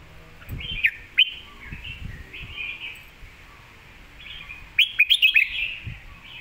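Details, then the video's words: Red-whiskered bulbul master song for tutoring: gentle warbling notes with two sharp accents, later a lively run of five fast whistled notes, over quiet low background noise. "คมชัดลึก"ดอกสวยๆ สำนวนแม่บท/ไว้สอนนก"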